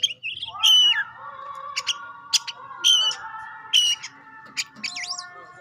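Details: Oriental magpie-robin, kacer pastol, as a lure for other magpie-robins: scattered loud whistled notes and clicks, repeated roughly once a second, over a steady droning tone in the background.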